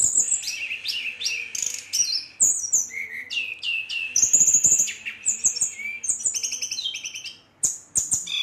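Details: Brown-chested jungle flycatcher pouring out a fast, varied rolling song aimed at stirring up rival birds: chattering buzzy phrases, sharp high whistles and quick trills, briefly pausing near the end before resuming.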